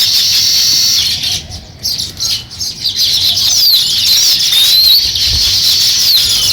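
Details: Sparrow chattering steadily while starting work on a nest, shrill chirps and thin sliding notes with a brief quieter patch early on.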